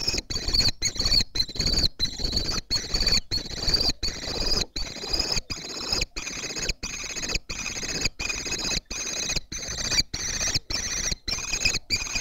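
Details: Fledgling common kestrels at Théding, France, on 19 July 2023, newly flying and pursuing their father for food; a continuous wheezy, harmonic whine repeats in rapid pulses, broken by frequent short dropouts.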